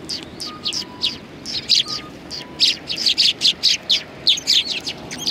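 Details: Sparrows on a Tenmangu shrine bench, 21 January 2020, trade short high chirps that build into a steady, evenly spaced series in the second half, over quiet background noise.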